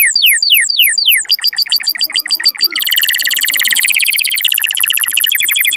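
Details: Canary song for encouraging mating: spaced downward-sweeping whistles, then a burst of mixed chirps, followed by a dense, buzzy high trill to the end.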